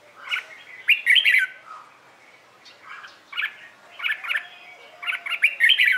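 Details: Red-whiskered bulbul in morning training song for singing contests: clusters of quick, scratchy, chirping whistled notes, repeated in groups of bursts with brief pauses and faint warbling underneath.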